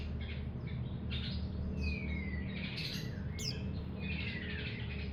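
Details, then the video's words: Mountain white-eye, untrained young hobby bird, mixing high scratchy chirps with long thin descending whistled slurs and one sharp squeaky note, low hum underneath. "pleci Monty bahan"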